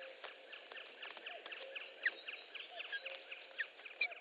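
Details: Osprey pair in Estonia on May 3, 2013, as the male delivers a big fish to the female. Soft, thin whistled chirps, mostly falling in pitch, run in a steady, uneven series at low volume.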